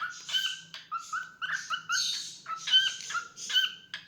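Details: Singing pet cockatiel giving quick warbling phrases, whistled notes sliding up and down between harsher chirpy syllables, delivered in rapid bursts with a low background hum.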